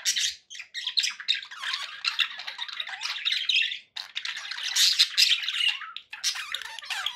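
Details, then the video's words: Continuous budgerigar chatter from pet birds: rasping, buzzy warbles and squeaky notes in long runs, broken by a short pause near the middle, over faint background noise. "1 hour of budgie sounds with background noise for relaxation"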